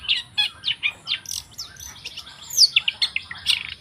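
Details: Long-tailed shrike song: a rapid run of varied high chirps and short whistled notes, some slurred and rising, delivered in quick bursts with brief gaps.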